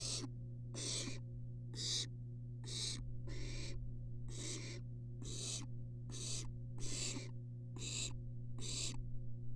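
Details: Three wild barn owls huddled together in a nest box on a live nest cam at the University of Florida. They give harsh, breathy hissing screeches, about ten in ten seconds at a steady rhythm, over a constant low electrical hum.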